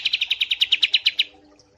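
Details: White-eye trill from a songbird tutor recording: about twelve bright, high double notes in an even, fast series lasting just over a second, then quiet.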